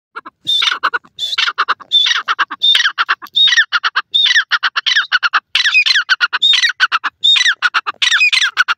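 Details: A black francolin (Iranian teetar) recorded at home gives loud, harsh, grating notes in rapid ratcheting phrases, repeated almost without pause; no other sounds stand out.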